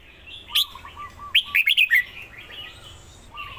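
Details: Red-whiskered bulbul singing: a sharp note, then a quick burst of five bright, bubbling chirps, with softer warbled notes between and a steady series of lower whistled pips in the background.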